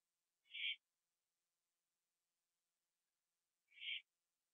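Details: Owl on a porch at 11:15 PM in September 2011 after catching a gopher; two separate harsh, hissy screeches about three seconds apart, silence between.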